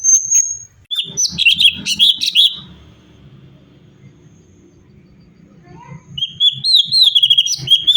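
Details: Cucak cungkok (sooty-headed bulbul) singing in lively variations, a recording meant for training other songbirds: bright whistled and chirping phrases in dense bursts, a quiet low-rumbling gap of about three seconds, then more rapid sweeping notes.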